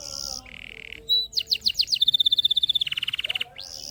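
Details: Lure recording of an energetic canary, meant to prompt lazy canaries to sing: a short high trill, a lower buzzy roll, a clear whistled note, then quick sweeping notes leading into a long rapid pulsed trill that steps down in pitch.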